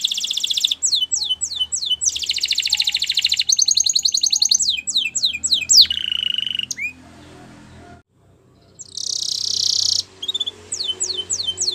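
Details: Canary singing, a fast mix of rapid trills, repeated downward-sweeping whistled notes and buzzy rolls, broken by a short pause before a bright trill resumes and more descending notes close the phrase.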